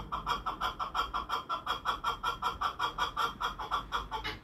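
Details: Chukar partridge giving a steady series of short, clucking chuck notes, about three per second, each with a bright ringing upper overtone, continuing evenly throughout over a faint background hiss.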